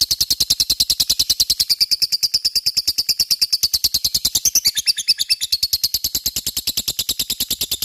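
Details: Lovebird ngekek, a long chattering song for provoking rival lovebirds: very fast, regular pulses of high, harsh notes, with a brief squeakier flourish near the middle.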